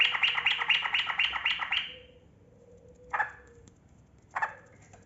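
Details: Yellow-vented bulbul in energetic long-running song, used to stir lazy caged birds: a fast string of about ten bubbly, chattering notes, then a pause and two single liquid notes, with a thin steady tone behind.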